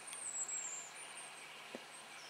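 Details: A hazel grouse on a spring lek in Russia (Yenisei Ridge) gives a long, very high, thin whistle that sags slightly in pitch, then two shorter, fainter whistles, over a soft steady hiss.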